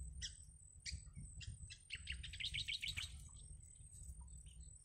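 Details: Yellow bittern (Ixobrychus sinensis) chicks in the nest beg to be fed by their mother, giving high, scratchy chirps in quick, uneven bursts that build to a rapid chatter, over a low background rumble.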